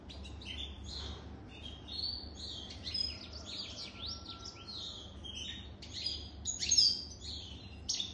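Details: An adult European goldfinch more than three years old delivers a continuous high-pitched twittering song, a rapid chain of thin chirps, sliding whistles and brief buzzy bursts over a faint low hum.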